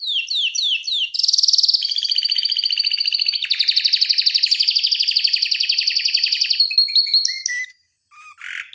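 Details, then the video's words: Canary tutor recording in energetic, long rolling (ngeroll) style with tight, fast tempo, for coaxing or tutoring other canaries: rapid repeated high notes shift through several dense trill tours, ending in a few separate whistled notes. "Kenari Masteran Suara Gacor Ngeroll Panjang Untuk Pancingan Maupun Masteran"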